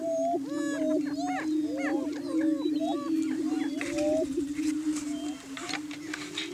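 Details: Greater Prairie Chickens performing their morning courtship display on a Kansas lek in Washington County to hold breeding territory. A low sustained boom continues under clustered whooping and cackling calls that thin out toward the end.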